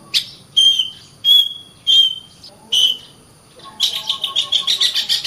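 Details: Oriental magpie-robin (kacer) in continuous, full 'gacor rapat' song: five loud, pure whistled notes about half a second apart, then a quick, buzzy run of rapidly repeated pulses. Faint background hum.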